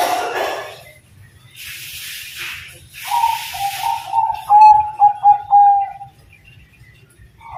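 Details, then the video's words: Perkutut Bangkok zebra dove in lively terasan-style song delivers a rising coo that breaks into a rapid run of clipped, pulsing notes at a steady pitch, after rustling and hissing noise "Perkutut Bangkok Gacor Terasan Suara Syahdu"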